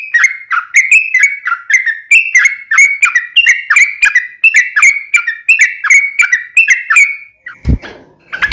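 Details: Yellow-vented bulbul in strong voice, played as a lure to make captive bulbuls sing back: a long run of loud, bright, downslurred whistled notes, about two per second, ending with a sharp knock.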